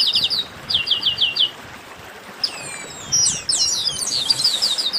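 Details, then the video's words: Chestnut-capped blackbirds in a flock chorus known as a 'baderna': rapid runs of short high whistled notes repeated in quick series, followed by rising and falling slurred whistles and buzzy trills from several birds overlapping. "Baderna de Garibaldi"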